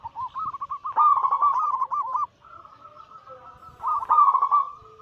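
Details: Zebra doves, local Bangkok birds crossed with cemani and katuranggan lines, in a group recording used as a daily lure to spur caged birds to sing. Rolling, trilled mid-pitched coos overlap in bursts, with a steadier held coo between.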